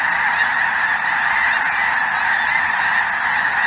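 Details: Dense honking of a large mixed flock, Snow Geese with Greater White-fronted Geese, overhead in southern Indiana on a cold January afternoon in 2023; countless voices blend into one continuous clamor.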